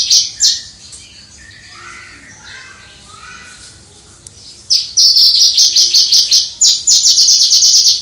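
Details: Captive Javan bush lark heard from a distance, valued for its crystal-voiced song; after a few soft, lower warbled notes and near-quiet, a loud high rattling trill bursts in and repeats rapidly to the end.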